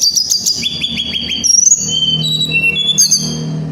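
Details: Little Pied Flycatcher, a mountain tledekan, singing a rolling song that provokes flycatchers: a rapid series of quick downslurred notes, then varied high whistled phrases; low background hum throughout.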